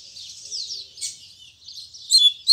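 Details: Double-collared seedeater (coleiro) in morning Tui Tui Zel Zel song: faint, hissy high warbling throughout, with a few brief louder sharp notes at the very end.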